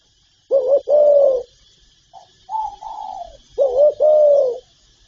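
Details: Spotted dove cooing: a clipped note and long low coo, then softer higher falling coos, then the low double phrase again.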